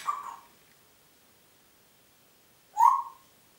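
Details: Congo grey parrot recorded at Diebach near Hammelburg on 4 April 2012, giving two separate short whistles about two and a half seconds apart, each a clear mid-pitched note over quiet background hiss.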